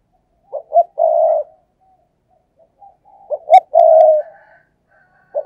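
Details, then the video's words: Decoy spotted dove calling to lure wild doves with 'thúc gù' coos. Two crisp short notes lead into a long, mellow coo; the phrase repeats after about two and a half seconds, with a faint thin whistle between. "cu gáy, Mồi cây thúc gù chuẩn căng đét"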